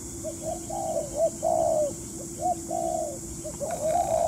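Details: Decoy spotted dove calling during a trapping session in Vietnam, excited by the sun; dense, rapid, overlapping low coos, some drawn out and louder, over a steady low hum.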